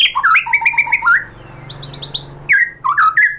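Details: Murai batu, the white-rumped shama, giving a lure song meant to make other birds reply. Bright whistles jump between high and low pitches in quick bursts, with a short high buzzy trill in the middle.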